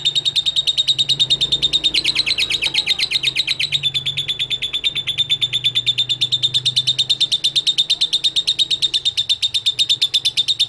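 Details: Lovebird ngekek song used as a lure for other lovebirds: a long, fast, shrill pulsing trill, rougher and louder around two to four seconds, then smooth and steady, with a faint low hum behind.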